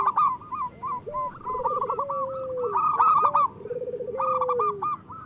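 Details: Local zebra dove song used as a lure to prompt lazy birds to sing. Low rolling trilled coos drawn out into long level notes overlap a higher line of quick repeated cooing notes, as if several doves sing together.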